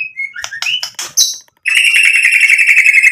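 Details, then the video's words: White-rumped shama singing to provoke answers from other birds: quick chirps and slurred whistles, then after a brief gap a long buzzy, rattling trill held steadily to the end. "MURAI BATU GACOR bikin EMOSI Langsung NYAUT BUNYI BONGKAR MATERI ISIAN ampuh buat PANCINGAN"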